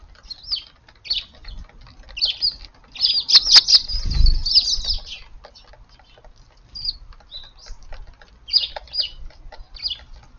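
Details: Eurasian tree sparrows at morning feeding in a sunlit garden on April 3, chattering chirps building into a dense burst with a loud flurry of wingbeats as birds take off, then scattered chirps resume.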